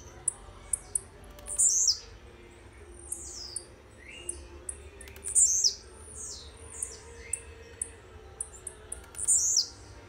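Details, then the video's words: A young blue-black grassquit from Jacarepaguá, Rio de Janeiro, slowly starting to sing, repeats a very high, sharp, buzzy 'tizz-iu' note every two seconds or so. Soft clicks and lower chips from another bird sound in between. "Tiziu RASANTE"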